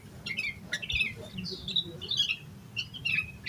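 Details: Yellow-vented bulbul singing energetically in an agitated, full-phrased style, used as a lure to prompt other bulbuls to sing: short chirpy whistled notes in quick uneven bursts, some sliding downward, with a low background hum.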